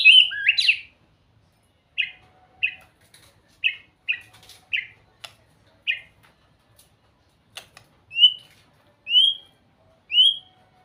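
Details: White-rumped shama singing sweetly: a sharp slurred note, then a slow series of short, evenly spaced chips roughly every second, ending with three clear rising whistles.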